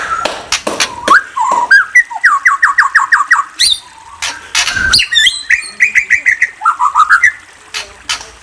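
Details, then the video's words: White-rumped shama in full song, with rapid trains of sharp down-slurred whistles repeated many times, a brief high twitter, then another run of quick whistled notes, with scattered clicking sounds between phrases. "Murai Bird Chirping"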